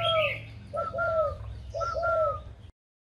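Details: Spotted dove, a tamed bird kept for good cooing, near Ba Vi, Hanoi, Vietnam, gives clear mellow coo phrases. Each two-part note pattern repeats about once a second, with faint background twitters before it ends abruptly.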